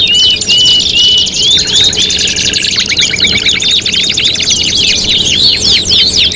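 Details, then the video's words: Canary singing from a five-in-one competition tutoring recording: steady pure whistles at the start, a lower sustained note, then rapid clicking trills and sweeping phrases layered by more than one bird. "MASTERAN KENARI MATERI GANTANGAN LOMBA 5 IN 1 | CANARY SINGING"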